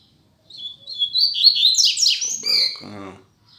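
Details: Teacher double-collared seedeater in captivity singing for young birds to learn: bright, high whistled notes build into a dense, buzzy warble lasting about two and a half seconds, then a man's voice speaks briefly.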